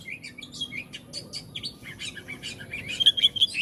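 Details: Oriental magpie-robin song: a busy, varied run of sharp high chirps and short whistles, ending in a few bright repeated piercing notes.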